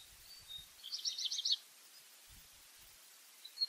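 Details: Black redstart singing at a distance: a quiet, quick, scratchy series of high pulsed notes against steady background hiss and a few low knocks.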